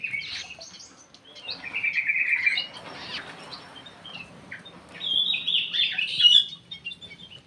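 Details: White-rumped shama recently released into an aviary and adapting to its new home, giving varied song phrases: a buzzy trill near the start, clear whistled notes, then a bright warbling burst toward the end, with quiet pauses between.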